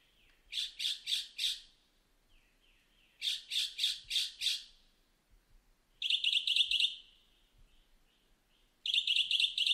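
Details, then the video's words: Mockingbird singing: harsh, scratchy notes repeated four or five times in quick bursts, then a switch to buzzy, squawking phrases, with short pauses between. "Mockingbird Sings"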